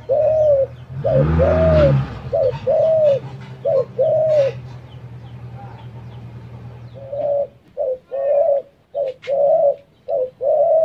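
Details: Spotted dove giving soft, mellow coos in short-long pairs, repeated steadily, with a loud, low rumbling thump near the start and a stretch of dull background noise before the cooing resumes.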